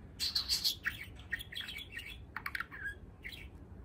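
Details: An eight-month-old male pet budgerigar practising talking, chattering in a fast, scratchy warble with bright chirps and buzzy clicks, mixing learned words into its twittering song.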